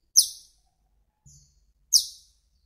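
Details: Two very high, sharp squeaks from an Asian glossy starling, introduced in Taiwan, separated by a faint thin note.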